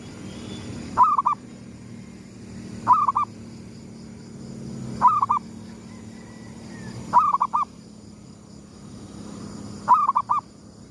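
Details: Repeated dawn cooing of a zebra dove lure bird, gedong mengo style: five similar phrases roughly every two seconds, each a stuttering roll of soft notes ending in rounder coos, over a faint steady hum.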